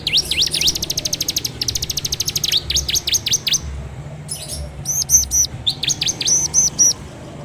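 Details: Ciblek, or bar-winged prinia, song recorded by phone as a lure for kept birds: swooping V-shaped whistles lead into a fast rattle, then more spaced swoops and sets of bright ringing notes.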